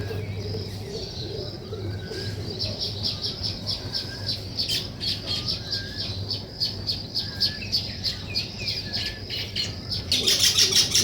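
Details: Weaver birds at work on their nest give rapid, uneven high chirps and squeaky notes, a busy chatter that swells into a louder harsh burst near the end, with a faint low hum beneath.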